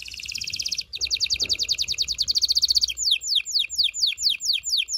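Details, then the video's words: Canary song used to excite a female for mating: two rapid trills of repeated high notes, then a slower run of sharp downslurred notes about two per second. "غناء طائر الكناري لتحفيز و تحضير الاناث و الذكور للتزاوج و تغريد المستمر"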